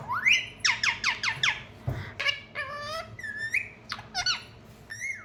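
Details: Parrot calling indoors, a fast run of five loud downward-sweeping squawks, then varied harmonic whistles, rising notes and short squeaks.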